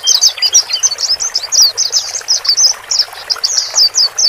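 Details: Male and female white-eyes heard to ease a newly purchased bird into a new cage; quick high twittering notes in short bursts roughly every quarter second, with a soft constant hiss.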